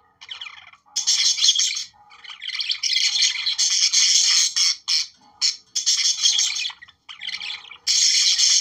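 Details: Breeding-stimulation song of budgerigars: bursts of harsh chattering warble and squeaky notes, starting softly, then loud stretches interrupted by brief gaps.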